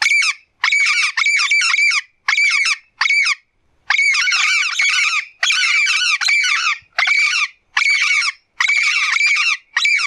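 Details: Yellow-faced Parrot in the wild giving harsh, grating squawks in rapid bursts of several notes, with short pauses between runs and nothing else audible.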